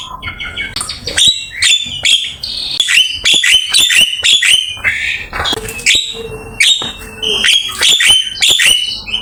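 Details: Javan myna master song full of fill-ins: crisp high whistled notes and chips repeated in rapid clusters, with varied pitches and a short low whistle in the middle.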